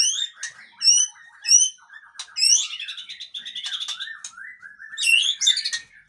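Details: Song of a male white-rumped shama of the Murai Aceh type, called a tough male: crisp repeated high whistles, then rapid chattering trills and a fast rambling warble, all loud and clear.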